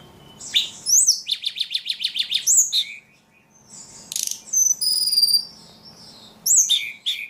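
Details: Very active ledekan bird giving a rapid rhythmic series of buzzy chirps, about four each second, then a pause, high whistled notes and closing sharp chirps.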